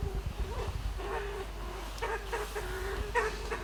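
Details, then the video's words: A Kalij pheasant climbing a tree to roost at dusk in a western Himalayan sanctuary gives soft, low trilling notes with short clicking bursts every half second or so, over a steady low rumble. "Kalij Pheasant makes beautiful trilling - clicking sounds"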